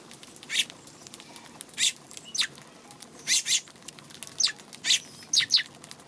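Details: Eurasian tree sparrow calling on March 2, giving about ten short, bright chirps at uneven intervals, some paired closely together, with a faint steady background hiss between them.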